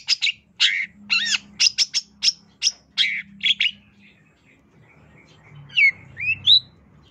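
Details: Long-tailed shrike song: about four seconds of sharp, buzzy chattering notes in quick bursts, each sweeping high, then a pause and a few clear rising whistled slurs near the end, over a faint low hum.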